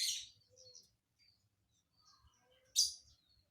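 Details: Lovebird singing an odd, hard-to-guess fill: two shrill, raspy screeches about three seconds apart, with soft twittery fragments and a faint low rumble between them.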